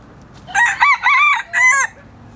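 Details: Red junglefowl crowing: a loud, harsh crow of four close, ragged bursts over about a second and a half, the last note drawn out, against quiet background hiss.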